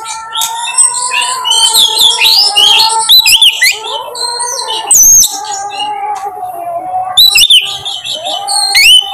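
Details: Lure song of an Oriental magpie-robin (kacer) to draw out another bird's repertoire: bursts of quick chirps and trills alternate with clear slurred whistles, with a steady low tone running beneath.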